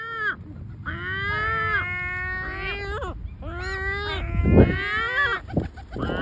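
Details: Great black-backed gulls keep up a string of long wailing complaints with brief breaks, several rising sharply at the end, voices at times overlapping.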